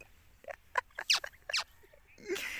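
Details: Indian ringneck parakeet talking: a handful of short, harsh, squawky syllables in quick bursts, ending in a broad, noisy rasp.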